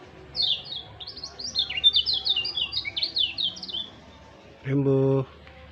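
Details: Excited, worked-up white-eye kept by its owner pours out a fast, high-pitched jumble of chirped zigzag notes for about four seconds. A loud, low, buzzy harmonic call from another bird follows near the end.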